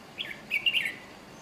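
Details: Red-whiskered bulbul in Chiang Mai, Thailand, uttering a quick chirp then a lively, slurred three-note warble, clear and bright over a quiet backdrop.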